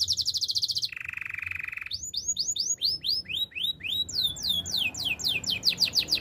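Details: Canary training song: a rapid high buzzy trill, a lower rolling trill, then series of arched whistled notes and quick descending sweeps repeated several times a second.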